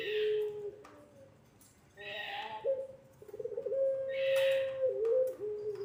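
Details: Puter pelung dove coo for training young doves: low tonal coos, one long sustained note that breaks into quick wobbling dips at its end, separated by soft breathy hissing bursts.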